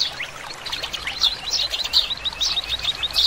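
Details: Oriental greenfinch, a common resident across Korea, utters quick high chirps and short slurred twitters in irregular bursts against constant hissing background noise.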